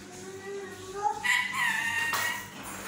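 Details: A napping pet parrot talking in its sleep: soft tonal notes climbing in pitch, then a louder sustained harmonic phrase with a brief raspy burst, over a faint hum.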